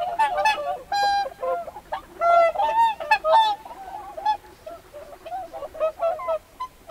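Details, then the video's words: Busy flock of whooper swans calling loudly on a lake, pintail ducks also present, heard at medium close range: a dense run of bugling, nasal honks of varied length, overlapping and tapering off into scattered softer calls. "Calls From Pintail Ducks & Whooper Swans. Swans Become Busy With Many Loud Ca"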